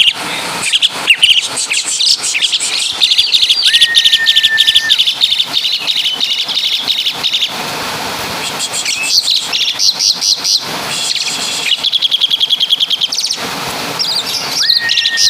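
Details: Javanese Asian pied starling with a full kapas tembak and caladi repertoire: long chattering passages of rapid, high chirps and trills broken by brief pauses, with two drawn-out flat whistles.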